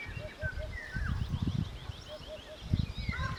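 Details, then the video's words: At an Albanian homestead, a Eurasian hoopoe gives low, hollow three-note hoots twice, with whistled calls of other birds overhead and low rumbling thumps and voices in the background. "Majestically Who but Hoo aka the Eurasian Hoopoe"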